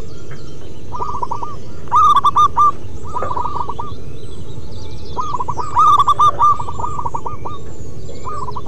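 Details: Local wild-type zebra dove in full song: bursts of rolling, bubbling coos repeated at intervals of about three to four seconds, each phrase ending in softer trailing notes, with constant low-pitched background noise.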